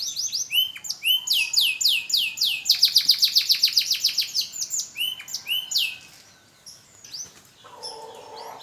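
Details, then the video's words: AF canary relearning its voice after the moult: a long sequence of fast repeated high downslurred notes that swells loudest in the middle, then softer scattered chirps. "BURUNG KENARI AF BELAJAR BUNYI PASCA MABUNG"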